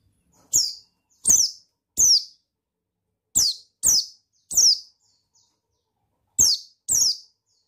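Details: Male buxtoni white-eye, used to provoke a quiet bird into singing: sharp, very high chirps that slide downward, given singly or in pairs with pauses between groups, each with a faint click underneath.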